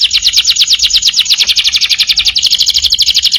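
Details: Canary in full energetic song, recorded as a master for training other birds: one continuous, very fast rolling trill of bright pulses, shifting slightly in pitch midway.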